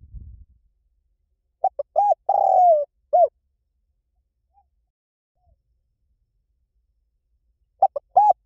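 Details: Spotted dove cooing in the 'liu tan' style, played to lure and train captive doves to answer. A short series of soft, low hoots builds into a drawn-out, gently descending coo and a final clipped note. After a long silence, a fresh phrase begins.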